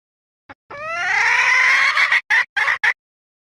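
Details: A hen gives one long, loud, drawn-out call that rises slightly in pitch over about one and a half seconds, followed by three short, clipped bursts in quick succession, in otherwise quiet surroundings.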